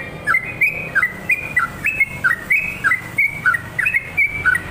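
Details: Sooty-headed bulbul, an active singer, giving bubbly whistled notes in quick rising and falling pairs, roughly one burst each second, with soft low background noise.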